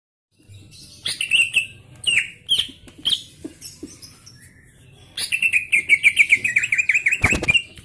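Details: Greater green leafbird singing in gacor style, a burst of continuous song: slurred whistled notes near mid-high pitch mixed with sharp clicks and chips, a pause, then a rapid trill-like run of repeated whistles and one loud broadband crack.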